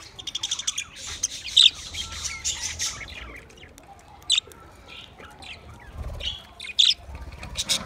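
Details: A flock of twenty budgie pairs gives bursts of chattering warble separated by quieter gaps, with loud, piercing single squeaks standing out roughly every two to three seconds over the softer twittering.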